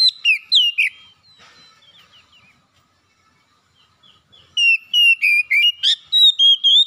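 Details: Home-kept Oriental magpie-robin in full gacor song: quick looping whistled notes, a quiet gap of about three seconds, then a fast string of clear, loud, slightly dropping whistles.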